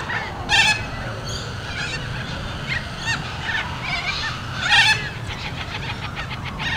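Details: A young cockatoo begs while being fed by an adult, giving harsh, raspy squawks: two loud bursts stand out among a run of softer rhythmic calls, over a low background rumble.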